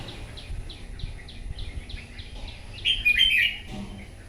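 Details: Morning competitive song of a wild-caught red-whiskered bulbul: a run of soft, evenly spaced falling chirps about four per second, ending in one loud, intricate warbled phrase.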